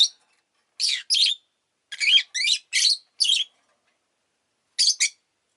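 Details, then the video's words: Shrill, rasping chirps from pet rosy-faced lovebirds, which were all calling fairly often that day, come in short paired bursts with a quiet gap of over a second before a final pair. "Lovebird Chirping Sounds"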